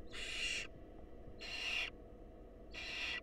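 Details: Three evenly spaced, breathy hissing bursts from wild barn owls in a nest box as the female feeds a male's mouse to a nestling.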